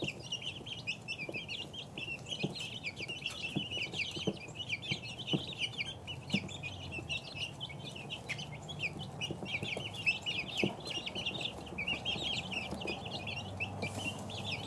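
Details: Constant high peeping from a group of two-week-old chicks, countless short chirps blending into one busy chorus, with occasional soft clicks and a low background hum.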